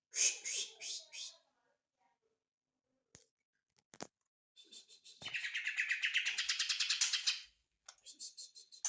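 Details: Leafbird, called ijo mini, in song: bursts of high chattering notes, then a fast buzzy trill repeated about three times a second, with brief knocks between phrases.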